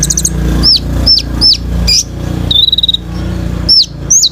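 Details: Kolibri ninja sunbird in full song for bird training; crisp falling whistles repeated about every half second, a brief buzzy trill and a rapid rattling burst, over steady low background noise.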